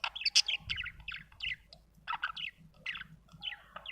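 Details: Budgie giving rapid, scratchy chirps in short clustered bursts separated by brief pauses, with a faint low hum underneath.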